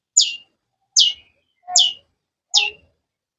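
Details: Long-tailed shrike repeating a sharp, high chirp that slides steeply downward, about once every 0.8 seconds, with faint low notes between.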